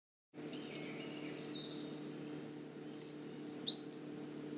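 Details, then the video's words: A male Brown Creeper (only males sing), a year-round resident, at Manchester Cedar Swamp Preserve, New Hampshire, where one was seen nest-building in late March. It sings a very high, thin song: a faint high opening note, then a quick jumble of sliding, tumbling notes, over a low hum. "Only males sing their very high-pitched song."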